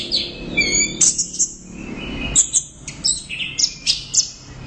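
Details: Steady loud song of an orange-headed thrush: a brief stack of whistled notes, then brisk high chirps and squeaky twitters repeated in quick succession, over light background noise.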